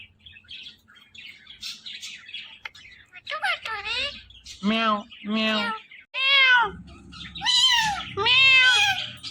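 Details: Talking Indian ringneck parakeet kept as a pet, repeating cat-like 'meow' imitations indoors: about five loud, arching harmonic syllables roughly one per second after quieter chatter, with a faint low hum and soft human voice.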